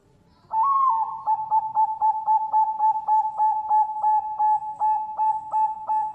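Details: Captive Bangkok-type zebra dove (perkutut) from a bird farm in Sidoarjo, East Java, Indonesia, giving its complete song of front, middle and end parts: a steady mellow cooing tone broken by rapid regular pulses, about four per second.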